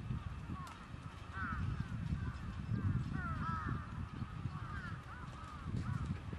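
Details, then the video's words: Trapped crows keep up a chatter of short bent caws, several birds at once, repeated irregularly over a strong low droning noise. "Crows Trapped"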